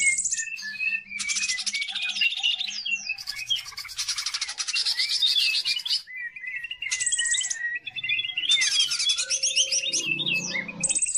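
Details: Greater green leafbird in energetic lure song for training other birds: a rapid, varied warble of whistled slurs, trills and harsh chattering bursts, constantly changing pitch without pause.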